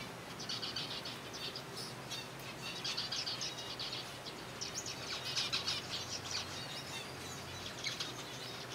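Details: Zebra finch colony at feeding time with soft food; many birds give overlapping short, buzzy, trumpet-like calls in thick clusters, swelling louder toward the middle, over a low steady hum.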